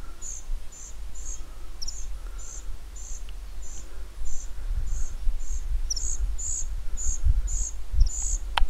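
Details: A young common cuckoo being fed by its meadow pipit foster parent begs with thin, high, sibilant notes repeated steadily about twice a second, over low wind rumble.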